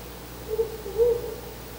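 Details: Male Ural owl calling by a window on a pre-dawn nest visit, 4 August 2020: a short low hoot followed by a longer one, soft and muffled above a continuous hum.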